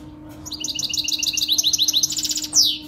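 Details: Saira-style canary song for teaching young birds: a continuous, high, rolling trill of evenly repeated notes that speeds into a tighter run and ends with a bright descending note, over a faint steady hum.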